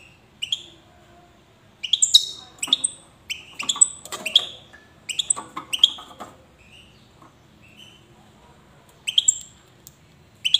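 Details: European goldfinch of the Widani song style from Safi: scattered bright, high chirps and short twittered phrases come in loose bursts between gaps, with faint clicks and rustles underneath.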